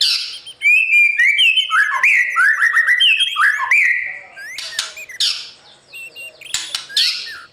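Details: White-rumped shama singing in the morning to train newly caught birds for competition: a long, varied whistled and warbled phrase, then quieter chips broken by several harsh, rasping bursts.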